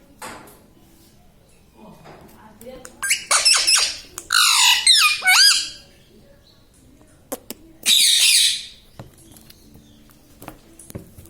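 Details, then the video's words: Pet parrot indoors, said to talk and say 'mummy', 'papa' and 'radhe radhe'; harsh, wavering speech-like squawks in bursts near the middle, then one loud rasping outburst, with quiet room noise between. "Parrot talking everything || mummy mithu bolta hai"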